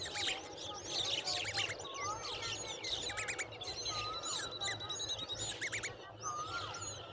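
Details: Common babblers, including a baby babbler that cannot eat, fill the air with busy, overlapping chatter of squeaky chirps, short whistles and rising notes, with several birds calling at once.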